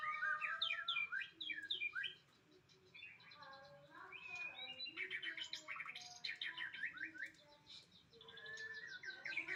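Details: White-rumped shama singing a rich, varied song of quick whistled phrases, sweeping trills and chattery notes in bursts, pausing briefly around two seconds in, over a soft low background hum.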